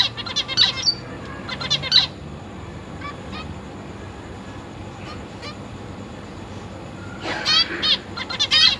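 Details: Captive zebra finches, a breeding pair with three juveniles and three newly fledged chicks in a big cage, 22 August 2023: short nasal honking beeps in clusters at the start and end, with a quiet gap between and a steady low hum.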